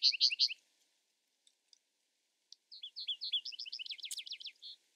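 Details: Vesper sparrow singing: a loud burst of high chips at the start, a near-silent pause with faint ticks, then another phrase of quick notes building into a rapid, even trill that ends on one short note.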